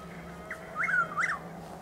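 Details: Chuck-will's-widow calling around 6:20 am on 12 April 2023 in Lake Placid, Florida: a single loud whistled phrase with a short soft opening note, then two quick swooping rising-and-falling notes, over a steady low hum.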